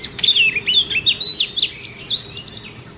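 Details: Softer, thinner phrases from a female oriental magpie-robin: a run of high, squeaky whistles and short slurs over a noticeable hiss, meant to stimulate pet male birds.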